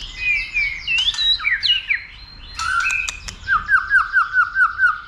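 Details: Excited white-rumped shama singing to spar; twisting whistles and clicks, then a crisp series of repeated falling notes, about six in quick succession.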